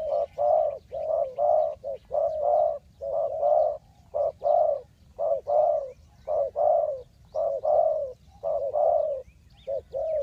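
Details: Spotted dove calling as a trapping decoy for wild birds, with a long steady series of paired mellow coos, roughly one per second, evenly rhythmic throughout, over a faint low background hum.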